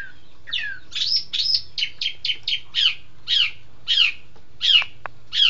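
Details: Green magpie, or engkek keling, delivering a steady series of about a dozen loud downslurred whistled notes, each roughly half a second apart, over a faint low hum.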